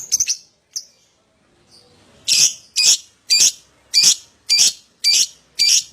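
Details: Lovebird prompt sounds for getting other lovebirds to sing: a few short chips, a pause, then seven loud raspy screeches repeated about every half second.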